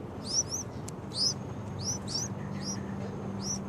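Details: Two young Yellow-vented Bulbuls calling loudly: high, thin, downslurred squeaky notes repeated roughly every second, over a steady low hum.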